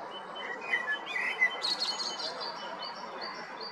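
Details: Male common blackbird singing in Zagreb, Croatia, recorded in April or May 2022 at Jarun or Prečko: mellow fluted whistles near the start, then a high squeaky twitter, over a steady hiss of background birdsong.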